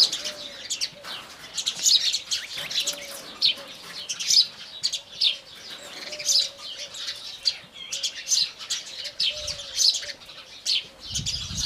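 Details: Indian house sparrows in the morning: a dense, continuous chorus of sharp, high chirps and tweets overlapping rapidly, with bursts roughly every second and a faint low hum beneath.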